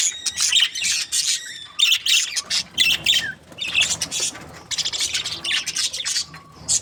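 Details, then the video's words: Breeding pair of budgies, called happy, giving bursts of harsh high squawks and warbled chirps in clusters roughly once a second, with brief quieter gaps between bursts. "Happy budgies chirping sounds | parakeet breeding pair"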